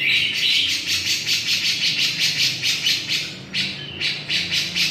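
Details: Steady, rhythmic harsh chatter from a Javan grey-cheeked bulbul, grating notes pulsing a little over twice per second with a faint thin whistle woven in at the start.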